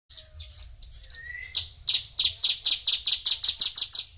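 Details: Male Javan bushlark, four years old, singing: high whistled notes around 4–6k, then a fast run of sharp repeated chips about four per second, with a brief lower slurred note midway.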